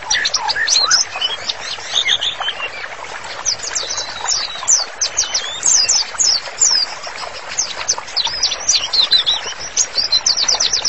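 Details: White-rumped shama master song for training, a dense rapid stream of high whistled notes, sharp upsweeps and chattering trills, almost continuous with busy overlapping phrases throughout.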